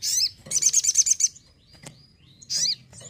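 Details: Sogon (crimson sunbird) kept at home, singing actively: bursts of very high rapid twittering trills, a pause with a thin faint whistle, then another quick high burst.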